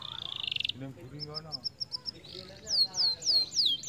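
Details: Canary song used to stimulate lazy canaries to sing: a fast buzzy trill, then rapid repeated high whistled notes and down-swept chirps, with faint low background murmur.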